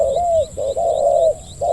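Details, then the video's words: Spotted dove in Thailand, kept as a hunting decoy, delivering its deep 'khu ang' coo: a mellow falling note, then a long sustained hoot and the start of another, steady and clear, with soft distant chirping behind. "ต่อนกเขาใหญ่ เจ้าทีเด็ดสายล่า จัดเสียงใหญ่ คูอ่างให้อีกแล้ว"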